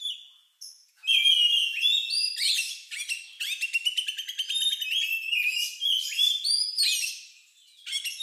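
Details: Oriental magpie-robin (kacer) with an unusual song likened to a lovebird's, used to prompt other birds to sing; continuous high varied whistles, slurred rising notes and rapid chattering trills, nearly nonstop after a short pause.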